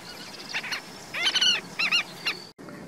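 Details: Two European golden plovers calling to each other on floodplain grassland at Ponta da Erva, Portugal, 9 November 2019: short, plaintive whistles, some arching up and down, in quick bursts over two seconds against a faint steady hiss.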